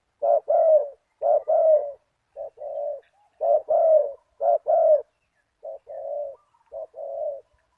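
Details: Rhythmic deep cooing of a decoy spotted dove in '1 kuk' style answering a target bird: a run of about seven phrases, each a sharp short note then a husky drawn-out coo.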